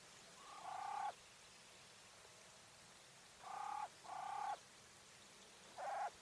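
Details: Female Coturnix quail, English White, giving loud drawn-out nasal squawks, each rising in volume and ending abruptly, four calls over six seconds with quiet gaps between.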